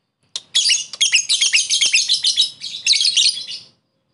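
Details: A lovebird lure for calling a rival: a dense, scratchy burst of harsh chattering about three seconds long, rising and falling in loudness.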